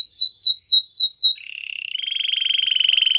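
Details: Canary song for training: five loud descending swept whistles, then a soft low buzzy trill that gives way to a steady, rapid rolling trill growing gradually louder.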